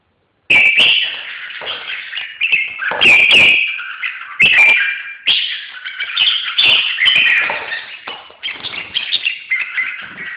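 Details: Red-whiskered bulbul singing a dense run of chattering, slightly harsh warbled phrases in short bursts, with brief gaps between them.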